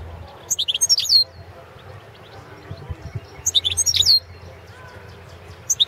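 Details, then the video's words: European goldfinch of the balcanica subspecies, a competition recording for the 2017 World Championship in Goldfinch Song: two short bursts of bright, high, twittering notes with quick tinkling trills, separated by a quiet pause, over faint low hum. "World championship in Goldfinch Song 2017"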